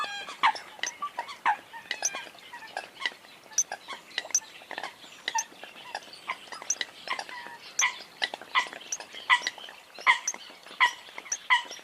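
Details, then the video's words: Eurasian coot calls, slightly distant: scattered short, nasal notes and clicks that grow into a run of evenly spaced honks near the end. "tiếng sâm cầm"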